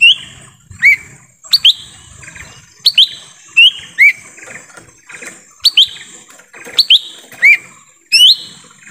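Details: Lesser green leafbird in forest, a lure recording for attracting wild birds: loud, sharp rising whistled notes, often paired, repeated roughly every second over a steady high hum.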